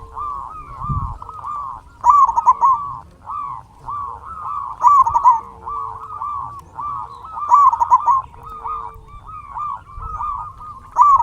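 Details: Local zebra dove used to entice other doves to sing; a continuous run of overlapping soft cooing trills, punctuated roughly every three seconds by a louder, rolling coo with bright harmonics.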